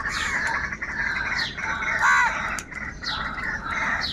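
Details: Angry crows cawing loudly and continuously, harsh overlapping calls in a dense chorus that swells in the middle, with faint higher chirps.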